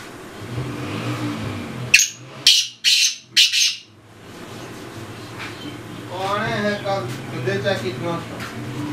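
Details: Black francolin, roaming free, gives four loud, harsh, grating notes in quick succession; an engine hums before it and a man talks afterward.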